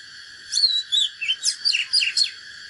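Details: Oriental magpie-robin giving a fighting song, said to be from a natural bird. Bright whistled phrases and quick falling slurs come in short bursts of about eight notes over a steady high background hiss.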